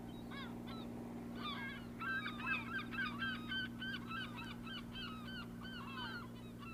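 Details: Male Hill Prinia giving a varied series of short chirping, slurred notes that quicken and grow louder midway, over a steady low mechanical hum.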